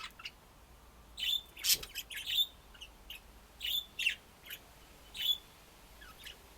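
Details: Pet budgies chirping in short, high, twittering notes, some rapid pairs and triplets, with an uneven rhythm over a quiet background.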